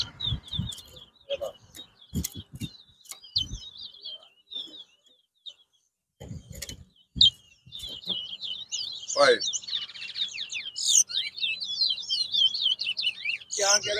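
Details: Towa towa singing in a whistling competition at Bath Settlement, Guyana, 2022: rapid warbled whistles near one pitch in bursts, with loud clicks and knocks early and a busy twittering stretch at the end.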